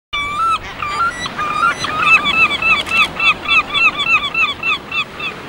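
Gulls give nasal, yelping cries, then a fast run of repeated downslurred 'kyow' notes, about three or four a second. Faint background hiss throughout.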